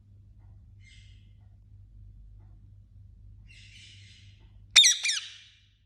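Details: Indian ringneck parakeet: soft raspy chatter first, then two loud, harsh squawks in quick succession near the end; a faint low hum fades out just before them.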